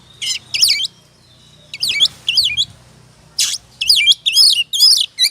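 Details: Kacer, the oriental magpie-robin, singing ngobra as a song lure: short bursts of twisting, looping whistles separated by pauses of about a second, with one harsh rasping note midway and a faint low hum behind.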